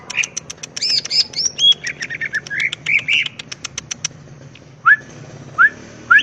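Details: Wild greater green leafbird song, full of varied fill phrases, used to provoke other birds to answer: rapid dry ticking series mixed with slurred whistles, then a pause and three rising whistled notes.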